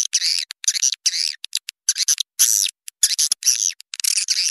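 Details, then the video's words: Swiftlets chatter in rapid, buzzy, high chirps and twitters, packed in quick bursts with brief gaps between them; a recording used as a lure call to attract swiftlets from outside. "Suara Walet Panggil Tarik Luar"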